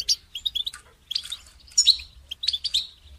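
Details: Goldfinch song used for training songbirds: bright, rapid twittering in short bursts, with high tinkling notes and buzzy trills repeated about every half second. Faint low hum underneath.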